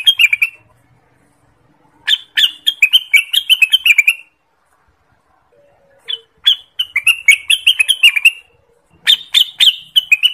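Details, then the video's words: Orange-spotted bulbul repeating bright, bubbling song phrases of rapid chirped notes, each lasting about two seconds with quiet gaps, a song used as a trapping lure and master song for training birds. "suara burung cucak Wilis / renganis ampuh untuk pikat, pancingan dan Masteran"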